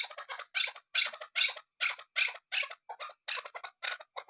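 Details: Calling female chukar partridge giving loud, rapid chattering chuk notes in quick bursts, close and steady throughout, with no other sounds.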